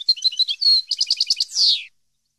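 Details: Song of a European goldfinch, recorded for teaching captive birds: quick liquid twittering notes, a short steady whistle, a run of pulsed chips and a final harsh descending buzz.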